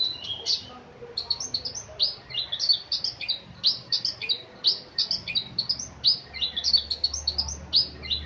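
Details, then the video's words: Oriental magpie-robin in melodious song: quick, high, scratchy chirps and short whistled notes delivered in an uneven rapid stream, about three a second, over a quiet low background hum. "Burung kacer berkicau merdu"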